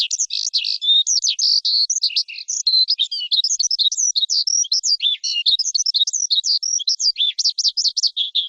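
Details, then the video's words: Continuous, fast lark song of high, tightly packed warbled notes and buzzy trills, running without a break and changing pitch constantly. "Tiếng chim Sơn Ca hót"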